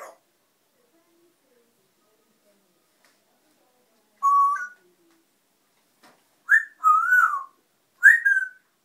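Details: Noisy pet African grey parrot, after a long silence, whistles a short rising note, then two fuller phrases with wavering, sliding tones, separated by brief gaps in an otherwise quiet room.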